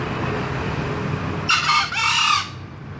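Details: Short, raspy green junglefowl crow in two quick parts, about a second long, rising out of a low humming background.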